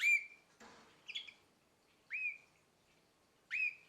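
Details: Canary aged about nine months uttering clear upswept whistled chirps that hold briefly at the top, four over roughly four seconds, interrupted by a short scraping rustle and a faint twitter.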